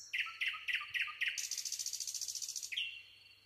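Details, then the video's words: A nightingale sings five loud, abrupt repeated notes, switches into a rapid, chattering high trill lasting over a second, then ends with a rising whistled note fading out; very little background noise. "nightingale singing"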